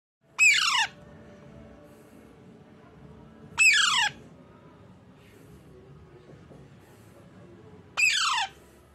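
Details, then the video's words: A baby Alexandrine parakeet in a cardboard box, indoors, gives three loud, harsh, descending squawks a few seconds apart, with a quiet hum between. "My cute baby alexandrine parrot natural sound"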